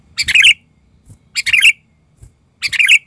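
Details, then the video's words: Sooty-headed bulbul acting as a lure bird and going wild: three loud, harsh, bubbling bursts spaced about one and a quarter seconds apart, with faint taps between them. "ketika pikat burung kutilang ngamuk"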